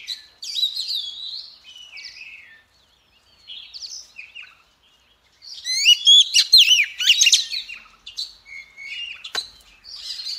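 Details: Singing female Oriental magpie-robin, used to prompt males to sing: short whistled phrases with pauses, then a dense burst of fast warbled, rising and falling notes.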